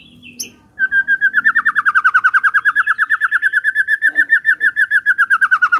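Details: White-rumped shama morning song used to prompt a quiet shama to sing: after a brief high note, a long rapid trill of even pulses holds steady, gently rising and falling, for about five seconds.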